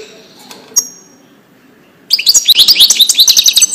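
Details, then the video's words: European goldfinch singing in the Wedani style for teaching chicks: near silence and one sharp note at first, then a sudden burst of high, quick, chattering trills over the last second and a half. "تغريد الحسون لتسميع الفراخ"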